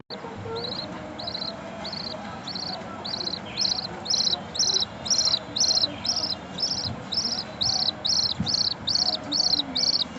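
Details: Ten-day-old budgerigar chick gives high, rhythmic peeps, about two each second, growing steadily louder.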